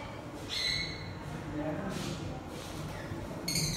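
Gouldian finch giving two bursts of thin, drawn-out whistled notes with a buzzy, ringing edge, separated by about three seconds, over a steady indoor rumble.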